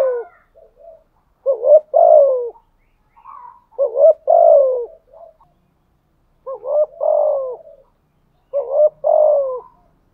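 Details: Spotted dove kept as a decoy bird, thổ-voice type, cooing persistently: four loud phrases about two seconds apart, each a brief upturned note then a drawn-out descending coo, with quieter murmurs between.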